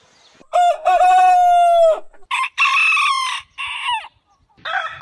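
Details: Loud rooster crow: a long, steady, bright harmonic note of over a second, then shorter rough, hoarse syllables trailing off, and a final faint burst after a pause.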